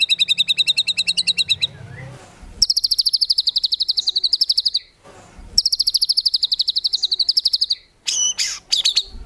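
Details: Shama song in the tembakan filler style used to train contest birds: bursts of fast, steady, high repeated notes, separated by short quiet gaps, ending with a few scratchy, squeaky notes.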